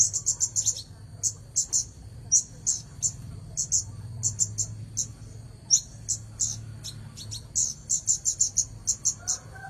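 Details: Red-headed bunting singing actively for nearly ten seconds: fast bursts of sharp, very high chirps alternating with spaced single notes, with a steady thin whine and low hum behind.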